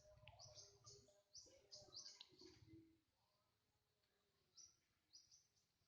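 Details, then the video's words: Songbird chirping lively: bursts of high, thin, rapid notes in quick clusters, then a pause and a few further high chirps, with faint low rustling beneath. "Kicau burung crocokan"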